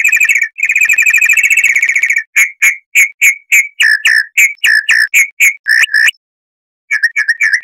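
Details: Chalk-browed mockingbird, Mimus saturninus, in a harsh-voiced tutor recording for training cage birds: a fast buzzy trill of whistled notes, then a run of clear, sharply repeated notes about four per second, and a short pause before more notes.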